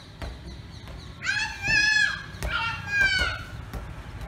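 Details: Indian peafowl, named as peacock and peahen, giving two loud wailing calls about a second apart. Each is rich in harmonics and rises then falls, over a low background hum.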